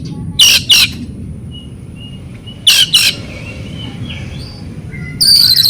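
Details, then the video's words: Oriental magpie-robin song played to make silent birds respond: two pairs of loud harsh rasps a couple of seconds apart, faint whistles between, ending in a shrill buzzy burst. "PANCINGAN BURUNG KACER cocok buat kacer bisu kacer macet bunyi kacer stres LANGSUNG NYAUT.!!!"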